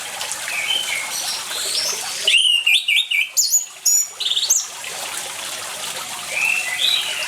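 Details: Orange-headed thrush in energetic song over flowing water, meant to trigger silent birds to sing; faint whistles over the water first, then a loud run of varied, tumbling warbled notes for two seconds, and soft whistled phrases again near the end.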